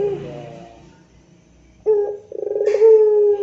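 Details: Puter pelung, the spotted dove, giving moaning 'rintihan' song as training audio for other doves. A fading coo ends in quiet, then a sharp hollow note and a quick rattling run rising into a sustained, even, resonant coo.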